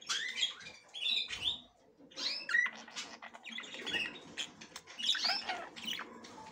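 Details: Female budgerigar trying to enter the nest for the first time; bursts of shrill, squeaky chirps with short upward-sweeping whistles, separated by brief pauses, over faint background rustling.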